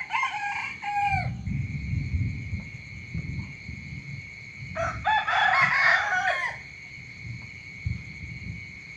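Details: Rooster crowing in the morning: a crow ends early on, low rumbling noise follows, then a second loud, dense crow of nearly two seconds, with a constant high-pitched tone throughout.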